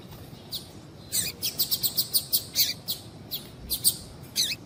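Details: Female double-collared seedeater calling to stimulate the male: steady string of high, sharp chirps repeated several times per second after a brief pause, ending with a louder buzzy note.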